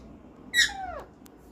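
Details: Parrot imitating a cat's meow indoors, prompted by its owner: one loud, drawn-out call that starts high and bright and slides smoothly downward over about half a second, with a quiet room otherwise.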